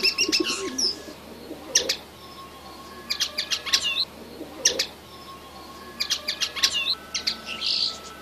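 A young red siskin sings high, twittering phrases with buzzy trills in short bursts every second or two, over a faint steady tone.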